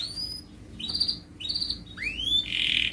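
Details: Canary singing for contest training, quieter and sparse: a few drawn-out clear whistles and rising slurred notes with gaps between, ending in a short buzzy trill over faint background hiss.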